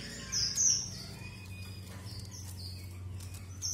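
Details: Red avadavat, also called strawberry finch, giving thin, high whistled notes: a short bright whistle, then a longer held one, followed by softer whistles over a steady low hum.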